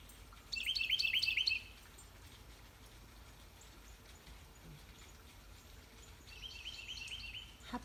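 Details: A male Carolina wren sings to his mate on a morning in a garden, having found a nesting house in the woods. Two bright bursts of quickly repeated warbled phrases come several seconds apart, with quiet background hiss between them.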